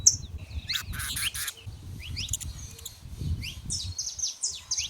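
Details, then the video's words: Saffron finches free in the wild, several birds singing at once: quick overlapping chirps and short rising and falling notes, high-pitched, with low rumbling background noise throughout. "show dos canário da terra livre na natureza"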